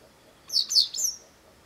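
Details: Shrill calls of a Japanese wagtail in a garden, where it kept calling for some time: three piercing, high chirps run close together, the last trailing off into a thin whistle.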